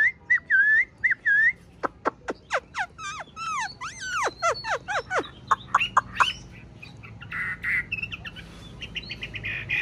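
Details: Tame Chinese hwamei kept in a cage, evening: short looping whistles open into a rapid cascade of steep downward-swept whistled notes, then softer warbling and chatter fading out.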